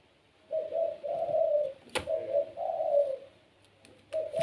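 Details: Kept Barbary dove of the pelung type coos in clear low phrases, a short note then a longer swelling one, repeated twice with a sharp click between, quiet room behind.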